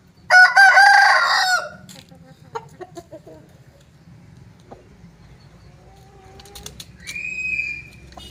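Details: Aseel rooster giving one loud, rich, harmonic crow that lasts over a second. Softer clucks and clicks follow, and a brief higher call sounds near the end.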